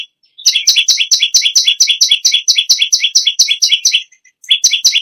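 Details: Bar-winged prinia, described as singing loudly and persistently, kept as a model bird for training other songbirds: rapid, evenly spaced high two-note chips, about two per second, with a brief pause near the end.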